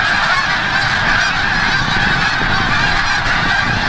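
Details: At sunset, a big flock of snow geese returns from the bay to Forsythe National Wildlife Refuge, Oceanville, New Jersey; a thick, constant clamor of barking honks, some single calls standing out above a faint low rumble.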